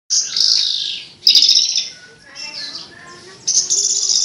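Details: Javan bush lark singing with a melodious voice: dense, buzzy, high-pitched phrases, a loud burst, another burst after a short pause, then softer twittering and a final rising burst.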